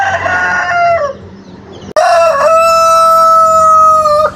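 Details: Two crows from a rooster in the Jabodetabek area, a call used to mark territory and attract hens. A short falling phrase, then after a brief pause a long, steady, drawn-out crow held for about two seconds before cutting off.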